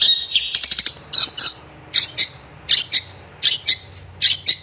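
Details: Long-tailed shrike singing in vigorous gacor style: a rapid burst of scratchy high chips, then paired harsh metallic notes repeated roughly every half second, with a faint low hum underneath.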